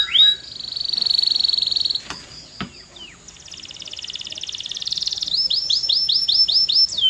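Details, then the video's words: Canary song made of a long sustained buzzy tone, a few clicks and a brief gap, then a rapid rattling trill rising in loudness and finishing with quick downslurred whistled notes. "CANARY GOES CRAZY! 🔥 Powerful Singing Sound"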